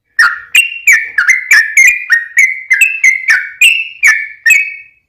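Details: Yellow-vented bulbul in full long rapid song, used as a lure to make other bulbuls sing back: bubbly, liquid whistled notes in quick, uneven bursts, each note slurring up or down, running continuously for about five seconds.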